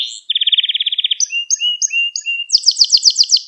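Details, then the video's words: Canary song intended as a lesson for young canaries: a fast, even trill of about a dozen notes, then paired whistled notes repeated four times, ending in a loud, bright, rapid rattle; nothing else audible. "Ders Gibi Kanarya Sesi Ve Ötüşü"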